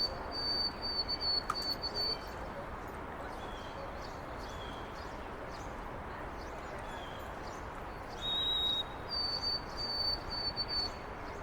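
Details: White-throated sparrow in Carl Schurz Park, New York City, 25 March 2021. It opens with a held high whistle and a few brief lower notes. After a pause comes a pure whistle that steps up into repeated higher notes. Steady city noise continues.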